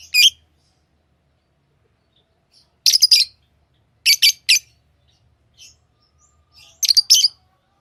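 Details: Pet lovebirds calling in short bursts: clustered shrill, rasping chirps in groups of two or three, separated by a second or more of silence, with a few faint squeaks.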